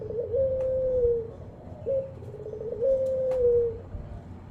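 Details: Puter pelung, a ringed turtle dove kept in Indonesia, gives two sustained coos separated by a short clipped note, each long tone gently falling at its end.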